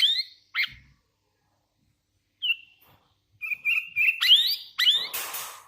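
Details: Hand-reared Sooty-headed bulbul calling and singing: scattered single whistles, then a rising series of sharp upslurred notes that grows louder, ending in a burst of harsh noise.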